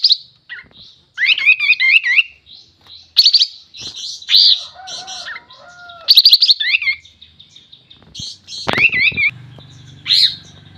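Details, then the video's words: Champion-style sooty-headed bulbul song: dense bursts of looping, warbled whistles and brief chatters follow one another almost without pause, with soft lower whistles and a faint hum late on. "Suara Burung Kapas tembak Super Gacor"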